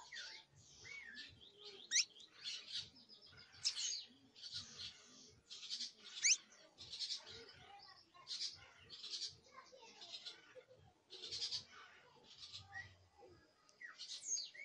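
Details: Juvenile canary practising its first songs, a dense scratchy chatter of buzzy bursts and thin whistled notes almost without pause, with some soft low thumps in the background.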